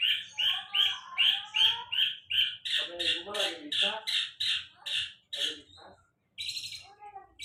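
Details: Sulingan laut delivering a rapid run of sharp, evenly spaced high notes, nearly three per second, then a buzzy burst after a short silence; faint low background noise.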